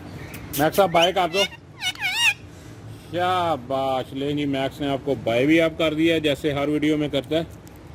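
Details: Talking ringneck green parrot on a wall, speaking Urdu and Hindi, gives quick harsh squawks and then a long run of voice-like syllables in rapid choppy bursts.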